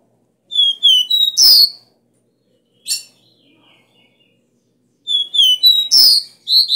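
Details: Copper seedeater delivering the forceful 'Dó Ré Mi' three-note song, called bitola, used to excite caged caboclinhos. High whistled notes end in a buzzy rasp, repeated twice, with one short sharp chip in the gap between.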